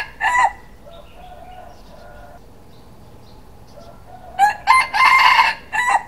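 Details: Rooster in the morning: a short note at the start, faint distant crowing in the middle, then a loud crow near the end with brief opening syllables and a drawn-out, hoarse final note.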